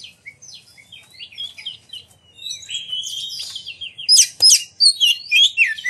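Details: A magpie-robin's provoking song, meant to trigger other magpie-robins to sing and display. Soft, varied whistles and slurs swell into loud, sharp, high chirps repeated in rapid bursts.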